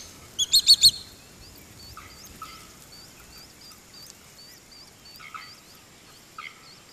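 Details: Swallow-tailed kite in Brazil: three loud, high, piercing notes in quick succession, followed by a quieter scatter of thin chirps and short whistles from other birds over soft background noise.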